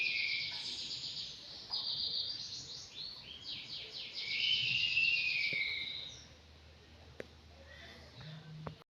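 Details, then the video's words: Five-month-old Anggungan bird kept in an aviary, giving dense, high, rapid chirps and twittering trills in quick overlapping runs for about six seconds, then fading to near silence with a faint low hum and a single click. "BURUNG ANGGUNGAN USIA 5 BULAN"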